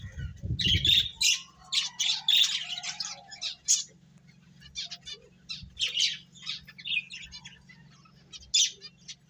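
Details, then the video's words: Finches eating and playing give quick, bright chirps and short squawky notes in irregular bursts, some clustered into rapid chatter, over a steady low hum, with a brief low thumping at the start. "Cute Birds Chirping Sounds | Beautiful Finches Eating and Playing"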